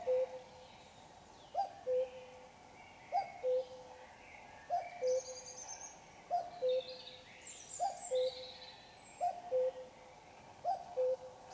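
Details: Before dawn at 5 a.m. on a Sunday, still night, a common cuckoo calls its falling two-note cu-coo seven times at steady intervals of about 1.6 seconds, while other small birds twitter faintly in the background.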